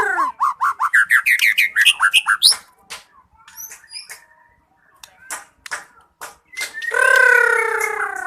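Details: White-rumped shama (murai batu) singing vigorously: a fast series of rising whistled notes in the first two and a half seconds, then scattered clicks and sharp notes, ending with a loud, rich, descending warble.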